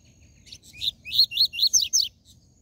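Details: Loud, clean tui tui zel zel phrase from a Double-collared seedeater, for stimulating captive birds: a series of quick, swooping whistled notes rising into buzzier ends, about six in two seconds.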